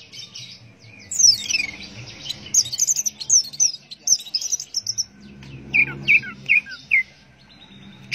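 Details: Teler-style song from an orange-headed thrush: long stream of high scratchy, twittering notes, then a set of separate downward-slurred chirps, with a soft low rumble in the background.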